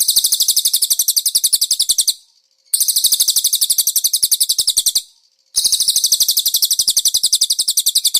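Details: Konin song recorded as a master for training cage birds, with cililin-style filling: fast high trills of clear repeated chirps, about four per second, in two-second bursts separated by short silences.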